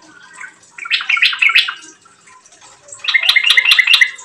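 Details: Yellow-vented bulbul, a prolific singer, heard in lure song meant to make other bulbuls sing: two quick gurgling phrases of tumbling notes, a pause between them.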